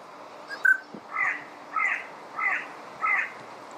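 Yellow-billed pintail giving one sharp note, then four hoarse, nasal calls about every half-second over a quiet background.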